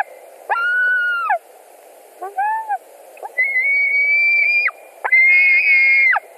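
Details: At a white-tailed eagle nest in Latvia on 17 July 2020, around 22:00, a fish delivery with two birds competing: a lower drawn-out cry, a brief soft stuttered note, then two longer high whistled screams that rise and break off.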